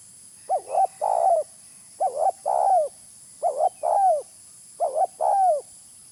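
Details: Spotted dove lure call: four paired coos in six seconds, each a short wavering note followed by a longer, fuller coo that slurs downward at its end. The phrases come about every one and a half seconds over a quiet background.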